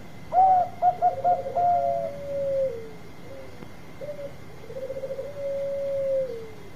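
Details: Zebra dove of the Bangkok type, a vigorous singer used as a lure to draw quick answers from other birds. A burst of short staccato coos runs into drawn-out purring trilled coos, and a second rolling phrase follows, over a faint steady tone.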